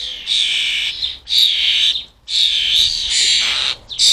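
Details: Wild fledgling European starlings being fed in a UK garden keep up loud, scratchy screeching. Long harsh bursts are separated by brief pauses, about one per second, with calls from several young overlapping.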